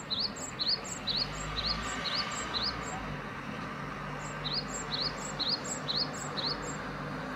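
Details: {'caption': 'Great tit singing two bursts of evenly spaced paired notes, a rising whistle and a higher pip, with steady low background noise.'}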